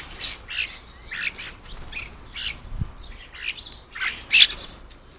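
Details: Common starlings at a garden bird table at lunchtime, a lively run of short harsh chirps and squawks about twice a second, ending in a louder burst with a thin high whistle.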